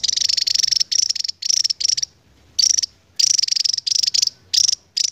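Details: Javan tesia, an endemic bird, singing long 'ngebren' trilled phrases: high, rapid buzzy trills in bursts of under a second, separated by short pauses, with a quiet background.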